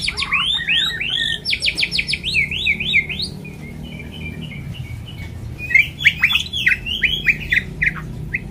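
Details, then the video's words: White-rumped shama song used to prompt other birds into full voice: rapid varied chirps and sweeping trills, a brief softer pause, then another quick burst of sharp notes and twitters. "pancingan murai supaya suara nya gacor"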